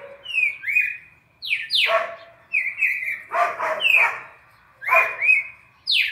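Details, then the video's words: Red-crested cardinal from Brazil giving a classic four-note song sequence, used as training audio for captive birds: clear whistled phrases, some sliding steeply down, in quick runs separated by short pauses, with bursts of rougher, noisy sound under several notes. "ÁUDIO PARA ENCARTE DO CARDEAL SEQUÊNCIA MÁQUINA DE CANTO 4 NOTAS CLÁSSICO"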